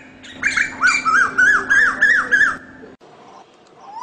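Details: Asian koel uttering six quick hooked, rising notes in a row, then falling silent, with faint high clicking and low hum behind.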